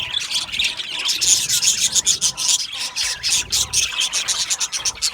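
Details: Many budgerigars chirp together in an aviary colony, a dense overlapping chatter of scratchy, buzzy chirps and warbles, high-pitched and continuous, with rapid pulsed bursts.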